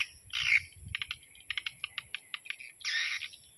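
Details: Dusk swiftlet lure sound: two buzzy chirping bursts framing a run of evenly spaced short clicks, with a constant high electronic whine behind.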